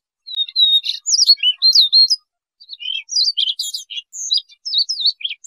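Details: Siberian rubythroat song for use in trapping: a clear whistled opening, then fast warbled swoops and buzzy chatter, a brief gap, and another jumbled run of high, sweet slurred notes.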